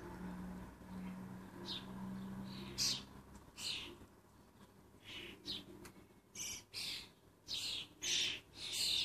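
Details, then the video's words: Excitable common starling fledglings in Lancashire, never leaving their parents alone: a series of harsh, broadband rasping calls in bursts, quickening in the second half, after a quieter start with a steady low hum. "The Joy of The Lancashire Starling Fledglings"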